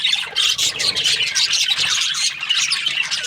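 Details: Budgerigars, Australian parrots kept as breeding pairs, chirping together in a dense, continuous chatter of overlapping squawks and tweets, with sharp high notes breaking through steadily for three seconds.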